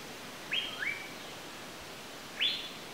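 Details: Asian paradise flycatcher giving harsh, buzzy, upward-sweeping notes: a quick pair near the start and a single note about two seconds later, over quiet background.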